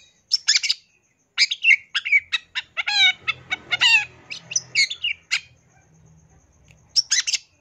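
Long-tailed shrike singing: high, scratchy chatter with sharp whistles and buzzy trills in uneven bursts and short pauses, over a faint low hum.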